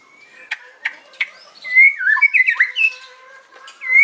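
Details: White-rumped shama in the afternoon showing off hard learned phrases: a few sharp clicks, then a twisting warbled and squeaky phrase ending in a rising whistle.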